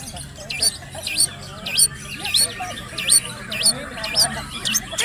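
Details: Young male long-tailed shrike, eight months old, singing a full varied repertoire used as a tutor for other shrikes; sharp upswept whistled notes repeated roughly every half second over a low background hum.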